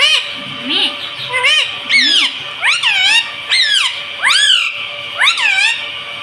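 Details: Pet talking parrot, said to say "mummy" and "mitthu", indoors; six loud, harmonic syllables arching up then down, about one each second, over a steady high-pitched background hum.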